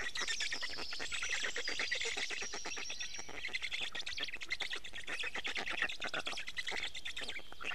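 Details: Nestling Black storks in Estonia, 6:41 am on 29 May 2018, begging as the adult delivers fish; a steady stream of harsh, wheezy, rapidly repeated pulses, with faint high whistles of other birds.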